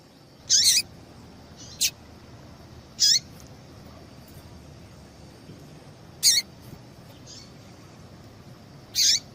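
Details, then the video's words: Female yellow-bellied seedeater calling to get a male singing, as keepers do before song tournaments: five sharp, high chips sweeping downward, spaced one to three seconds apart, with a few fainter notes between them and a steady faint hiss behind. "PIADO DE FÊMEA DE PAPA CAPIM PARA DEIXAR SEU PAPA-CAPIM DOIDO PARA CANTAR LOGO!"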